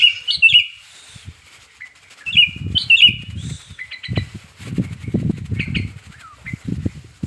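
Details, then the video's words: Wild male sooty-headed bulbul in breeding condition, a lure to get birds singing: loud liquid slurred whistles in short bursts, mixed with low thumping and fluttering noises and scattered softer notes. "Pancingan Burung Kutilang Gacor Birahi Agar Cepat Bunyi"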